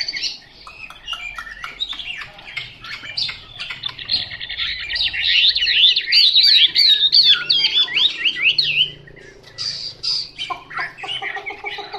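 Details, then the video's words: Untrained Chinese hwamei opens with scattered clicks and short notes, builds into a dense rapid whistled warble of zigzagging high phrases, then falls back to clipped sharp calls. "Họa mi mộc"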